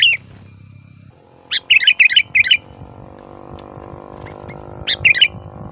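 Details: Sooty-headed bulbul giving loud, varied song, used to call bulbuls: a run of four bubbly, slurred notes, then a shorter pair, over constant low noise and a faint hum.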